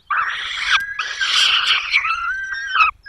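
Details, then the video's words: Peregrine falcon at its nest in Poland's Barycz Valley, 5 May 2022, while prey is brought and the chicks are fed; a loud harsh wail broken into three rough segments, ending on a falling tone. "Sokoły wędrowne _ Borek przyniósł małego ptaszka , Zdenka karmi maluchy"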